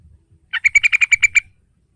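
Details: Sooty-headed bulbul, a sound played to a young bird to get it singing: a single quick run of about nine harsh, ringing notes lasting one second, evenly spaced and steady in pitch, with faint low rumbling beneath.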